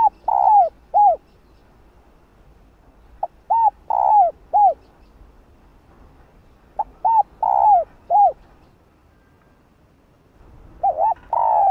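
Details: Cooing of a female spotted dove calling the male, repeated in phrases every three to four seconds: a short note, a quick double coo, a longer slurred coo and a final rounded note.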